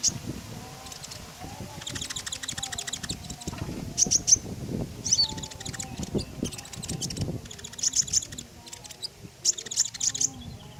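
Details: Common iora in energetic song, intended to prompt other birds to sing: scattered bursts of sharp, high ticking trills and a few clear whistled notes over low background rumble.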